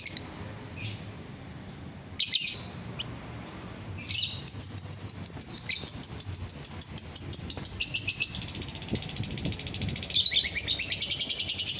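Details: Lovebird chattering song intended to make other lovebirds sing: scattered high chirps at first, then a long run of fast, pulsing, buzzy trills with brief pauses.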